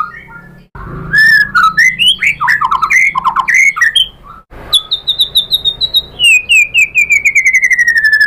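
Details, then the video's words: White-rumped shama song used as a lure to provoke another bird into singing: loud, varied whistled phrases, rapid sweeping notes and harsh squawks, then a long series of quick repeated descending chirps. "PANCINGAN MURAI BATU biar EMOSI jadi NYAUT IKUT GACOR"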